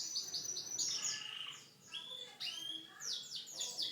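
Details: Canary singing a unique song: high sweet notes and short sliding whistles, broken by a brief softer gap, then quick descending chirped phrases toward the end.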